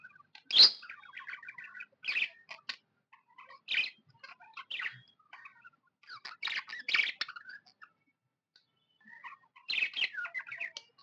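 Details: A happy budgie gives scattered bursts of scratchy chatter and soft warbling notes, separated by pauses of one to two seconds.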